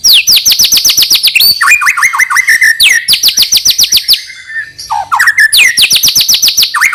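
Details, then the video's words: Song of a White-rumped shama, used to encourage young birds to sing: fast series of high descending whistled notes, repeated in quick trills, broken by lower slurred phrases and sharp clicks. "suara burung MURAI BATU UNTUK MEMANCING MB BAHAN AGAR RAJIN BUNYI DAN GACOOR |SHAMA BIRD"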